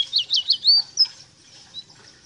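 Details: Short Rosita song fragment: four or five quick, high, warbled chirps in a tight burst, then fading to faint, scattered notes.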